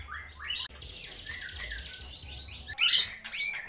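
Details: Mimicking white-rumped shama copying lovebird, kapas tembak and pijantung gunung: rising slurred notes, then a fast run of high, bright twittering syllables, followed by more upslurred phrases.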